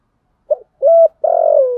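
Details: Spotted dove coo used to excite wild doves: a brief note, a level sustained hoot, then a long slightly falling vibrating coo.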